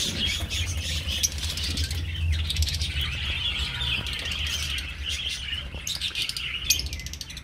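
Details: Budgerigar colony kept in an aviary, a continuous mass of high twittering and chirping from many birds, over a low steady rumble and occasional wing flutters.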